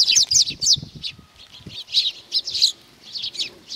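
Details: Sparrows coming to get food at Tenmangu, Nakanoshima, on 7 June 2020, giving a fast run of high, bright chirps that overlap in quick bursts, with soft low thumps beneath.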